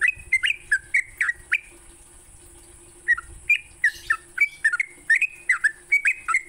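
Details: Sooty-headed bulbul singing in the morning, used to train songbirds; short run of rich whistles, a pause near two seconds, then a livelier string of slurred, liquid notes.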